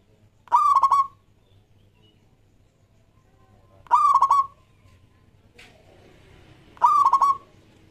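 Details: Zebra dove, local type, in active song for luring other doves: three brief phrases spaced about three seconds apart, each a rising coo breaking into quick rippling notes, with a faint click between.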